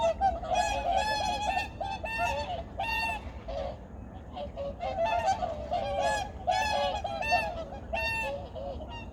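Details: Many migratory birds at Junam Reservoir, Changwon, South Korea, recorded early in the morning in 2019: a loud, dense chorus of nasal honking calls, roughly one or two a second, overlapping from several birds, with a faint low rumble beneath.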